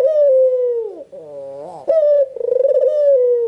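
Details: Albino Barbary dove with white plumage and red eyes, calling nonstop to stir other doves into calling. A long sliding coo, a quieter nasal upswing, then a loud coo with a quick pulsing roll.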